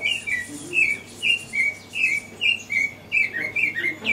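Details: African Thrush (Turdus pelios graueri) recorded at Kibuye, Rwanda, in March 2013, giving short, clear whistled notes about twice a second, some sliding down and some slightly trilled, over faint background hiss.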